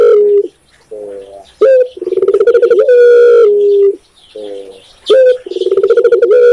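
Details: A spotted dove (tekukur) in Indonesia coos close by: low, hollow, slightly nasal notes in short phrases, each ending in a quick purring roll, repeated every second or two.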